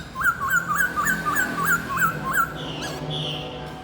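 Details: Young red-whiskered bulbul, four months old, singing and flicking wings and tail: eight quick rising whistles repeated in an even string, followed by a fainter higher note and a background hum.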